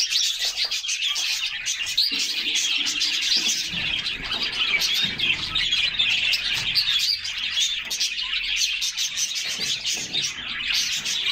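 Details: Canaries in a group take a refreshing summer bath, singing nonstop: thick, high twittering and trilling chorus with bright chirps, plus soft splashing beneath.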